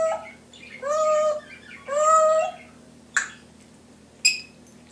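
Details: Timneh grey parrot kept as a pet copying home sounds: two drawn-out nasal, mewing whines like a cat, followed by two brief sharp clicks or beeps, with a faint steady hum indoors.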